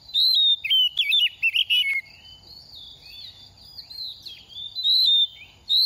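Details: Oriental magpie-robin during its moult, a semi-mature bird past two moults, sings quick whistled and warbling phrases in two bursts separated by a pause. A steady high insect trill sounds in between.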